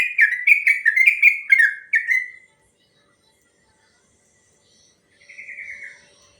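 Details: Sooty-headed bulbul long training song: a rapid run of bubbly, slurred whistles for about two seconds, a long silence, then one short descending whistled phrase.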